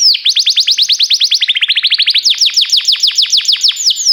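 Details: Canary song played for training canaries: fast series of high downward-sweeping whistled notes, about three per second, shifting pitch partway through into a brighter, wider-sweeping run, sung without pause.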